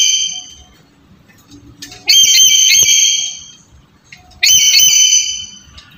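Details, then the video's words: Black-capped lory calls played to prompt a quiet lory into calling: the tail of one call, then two loud, shrill, ringing whistles about two seconds apart, each held roughly a second with a slight upward bend at the start. "Suara Pendobrak Burung Nuri Malas Bunyi"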